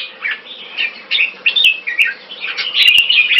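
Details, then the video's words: Competition singing by a red-whiskered bulbul in Singapore on its first winning day: quick, jerky warbled notes, slurred up and down, crowding together in a lively, fast-paced run with sharp clicks in the background. "Jambul - Fireball 1st win in Singapore"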